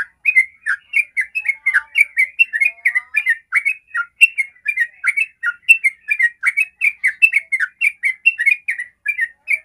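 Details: Extended 'ropel' song of a sooty-headed bulbul, used as a lure for other bulbuls: a steady, unbroken stream of rapid, slurred chirps and whistles, about four notes each second.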